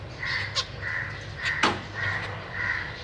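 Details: Captive zebra finches, a breeding pair with three juveniles and three newly fledged young, recorded 31 March 2023 while the parents fed the chicks; nasal, harsh calls in repeated bursts of about a third of a second, with sharp clicks between.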